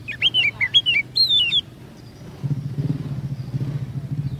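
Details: Oriental magpie-robin lure song: a few downslurred whistled notes and a high falling phrase, then the bird stops as an engine rumble takes over.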